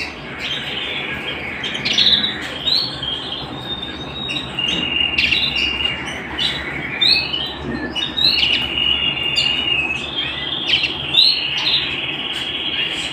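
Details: Canary at home delivering continuous high warbling song, strings of rapid trills and clear whistled notes with frequent quick upward sweeps, fairly even volume throughout, low hiss underneath.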